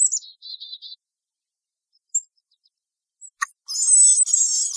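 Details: Black-capped chickadee at a backyard feeder: a high sliding note and short buzzy repeated notes, then a harsh, raspy burst of dee notes near the end.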